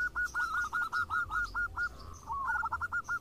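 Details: Several local zebra doves sing and answer one another. Quick, evenly spaced, hooked cooing notes repeat about every fifth of a second, with a short pause and a softer slurred phrase before the rapid series resumes.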